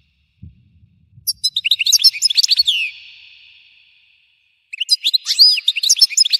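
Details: Explosive-style European goldfinch singing: a soft low thump, then a dense run of high liquid twitters and trills fading into an echoing tail, followed by a second busy twittering burst.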